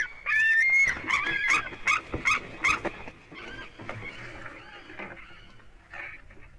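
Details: White-tailed eagle at its nest in Durbe on 13 August, the eaglet's fourth day there, heard on a live nest camera: sharp clicking notes and thin whistled calls that become fainter and more scattered after the first three seconds.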